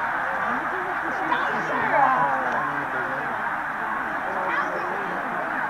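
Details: Huge flock of migrating geese at Middle Creek, Pennsylvania, on 16 March 2015, in a snow goose and tundra swan flyover: a dense wall of overlapping honks and yelps, a continuous chattering roar, plus faint human voices.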